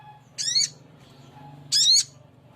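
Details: Male spiderhunter, locally sogok ontong, calling for a female: two loud, rasping, harmonic-rich notes about a second and a half apart, with a faint low hum underneath.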